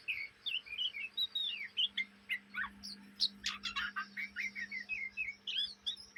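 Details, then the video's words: Young Oriental magpie-robin in Indonesia chattering its practice song day and night: fast, varied chips, squeaky whistles and buzzy notes, evenly spaced in a continuous stream of short syllables. "kacer bahan ngriwik siang malam"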